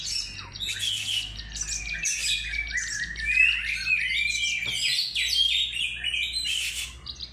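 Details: Oriental magpie-robin song used as a lure (pancingan): rich, continuous run of varied whistled and chattering phrases, rising and falling notes tumbling rapidly with barely a pause, over a faint low hum.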